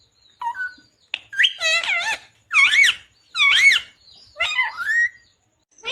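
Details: Indian ringneck green parrot talking: a run of speech-like, harmonic phrases with rising and falling wavering tones, bursts about a second apart and separated by short silences.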